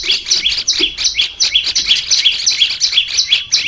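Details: Caged olive-backed tailorbird, recorded to train singing: rhythmic high chips in two layers, descending upper buzz then lower note, repeated nearly three times per second with occasional faint low clicks.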